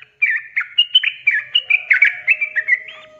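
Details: Yellow-vented bulbul song used to coax lazy birds into singing: a lively stream of short, jumpy, liquid whistled notes, with a faint steady low tone running underneath.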